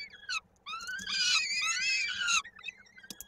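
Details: At a Koszalin, Poland nest on 16 May 2022, a young peregrine falcon calls during feeding, its foot caught in a beak. Brief opening notes give way to one long, strained, wavering wail.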